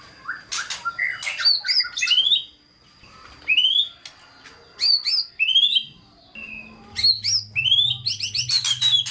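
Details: White-rumped shama song with full fill-ins, a prompt for shamas that sing little: separate sharp upslurred whistles and clicking notes in short groups, ending in a rapid run of ticking notes.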